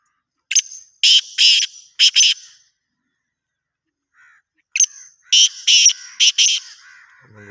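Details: Voice of the black francolin: a grating phrase of a thin note then several loud harsh bursts, repeated after about two seconds of quiet.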